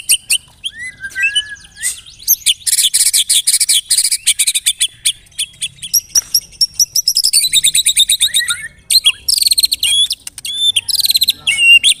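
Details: A white-rumped shama sings a rich, fast medley of clear whistles, rapid buzzy trills and sharp chattering notes, bursting out almost without pause, used as a lure song.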